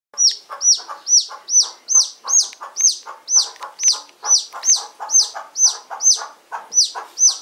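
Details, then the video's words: Serama chick peeping loudly: shrill high whistled peeps, each with a sharp rise and quick fall, repeated steadily about twice a second, sixteen peeps in sequence with a faint lower rustle beneath. "Duo the Peeper!"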